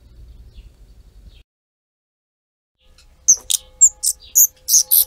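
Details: Tree pipit at a nest it built on a home terrace, where four young were successfully raised during summer 2016; after a quiet start, a quick series of loud, sharp, very high chirps follows, irregular and closely spaced.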